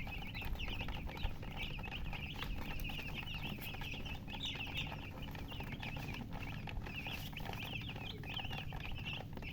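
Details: Baby chickens, coloured poultry chicks thirsty for drinking water, chirp nonstop in a thick chorus of shrill, repeated peeps that rise and fall in bursts, with a low steady drone beneath.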